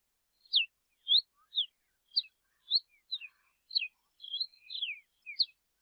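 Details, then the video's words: Softer song from a yellow-billed cardinal: scattered short whistled notes, mostly falling, spaced unevenly about half a second apart, with a few faint lower notes between. "Cardenilla Cantando - Yellow-billed Cardinal Singing"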